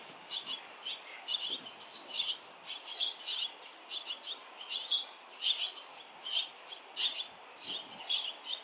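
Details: Many barn swallows fly along a street of nests as parents and fledglings urge the last chick out; crisp, high chirps in pairs and triplets, spaced about half a second apart.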